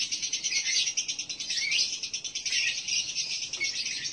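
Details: Lure sound played to bring a male lovebird into breeding condition (konslet): a dense, continuous, high-pitched chattering made of rapid pulses that rise and fall in waves, with a slightly hissy background.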